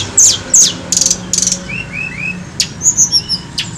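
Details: High, sharp downslurred notes and short buzzy bursts from a Tledekan gunung bird used as a lure, followed by three soft rising whistles and a few quick high chirps.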